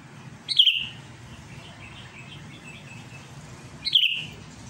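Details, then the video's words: Rival-challenging Sooty-headed bulbul gives two quick downslurred whistles a few seconds apart, with soft chattering notes faintly in between and a low hum. "SUARA CUCAK KUTILANG GACOR MANGGIL LAWAN"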